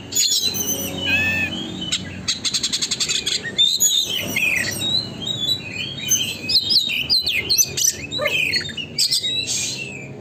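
An Oriental magpie-robin pours out a fast, varied song of sweet whistles, slurred notes and a rapid stuttering rattle, with scarcely a pause.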